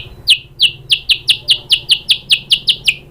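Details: White-rumped shama, used as a lure to get a bird singing: a steady series of about fifteen sharp, high, downward-slurred chip notes, roughly five per second.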